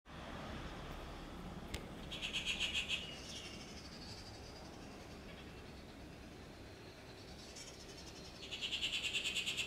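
A rufous treepie gives two harsh, rapid rattling bursts about six seconds apart, each lasting roughly a second, over a steady background hiss.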